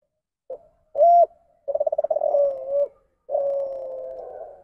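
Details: Spotted dove giving the deviant ndanglong form of its coo, which departs from the standard call and is blamed on recessive traits from close breeding. A short note, then a clear rising-falling coo, a rapid pulsed stretch and a long steady droning coo.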